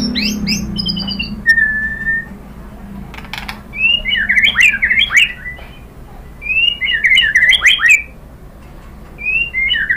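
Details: White-rumped shama song played to incite other shamas to sing: short bursts of fluty whistled phrases, repeated about every three seconds, over a steady low background hum with some clicking.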